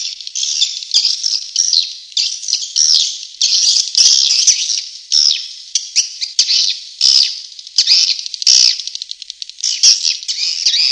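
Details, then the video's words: Tombak Raja lure recording for attracting swiftlets: continuous shrill, buzzy twittering that rises and falls in waves roughly every second, with short breaks between the louder surges. "SUARA BURUNG WALET - TOMBAK RAJA"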